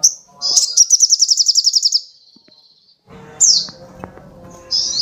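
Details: Little spiderhunter (sogok ontong) singing vigorously: a thin high whistle, then a fast even series of about thirteen sharp high notes over a second and a half, a pause, and a steep downslurred note, with faint low background hum.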